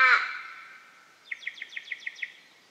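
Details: Raven in Western Australia heard with corellas: one loud harsh note, then after a pause a quick series of about seven short nasal notes, evenly spaced and fading, against quiet surroundings.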